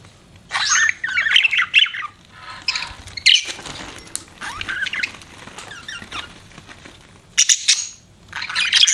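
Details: Pet budgerigars giving soft, busy chatter of squeaky twitters and warbled notes, quieter and more continuous, with a faint low background hum and a louder burst of chirps near the end.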